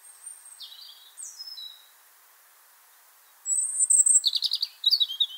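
European Robin song: high, thin whistled notes, then a tremulous, falling, accelerating run of fine trills and twitters, clear and pearly.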